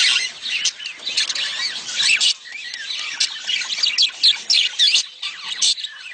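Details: Budgerigar mating calls, used to stimulate a female to lay eggs: a dense, scratchy chattering warble of high squawks and chirps, overlapping almost without pause, with a short quieter dip in the middle.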